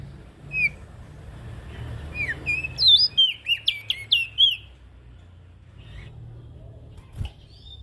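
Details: Ashy prinia, lure sound for small birds: a few scattered thin chirps, then a lively cluster of bright whistled, downward-bending notes, followed by quiet hum and a single click.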